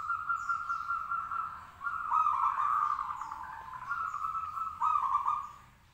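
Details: Local zebra dove in full song, meant to get others answering, giving a near-continuous run of mellow purring coos with tremulous stuttering pulses and small rises in loudness.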